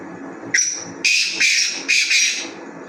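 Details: Black francolin giving its harsh call, a brief opening note then several loud scraping, rasping syllables in uneven groups, with constant background noise underneath.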